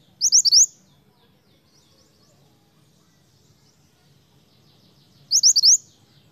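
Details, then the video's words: Vigorous song of a snowy-browed flycatcher (mantenan), used to lure others of its kind: a sharp phrase of four rapid high rising notes, a long quiet gap, then the same phrase repeated about five seconds later. "suara mantenan gacor untuk pancingan mantenan bahan"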